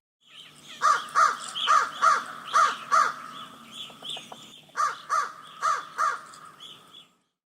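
A crow gives a run of six harsh, nasal caws in quick pairs, a softer pause, then four more caws at the same steady pace.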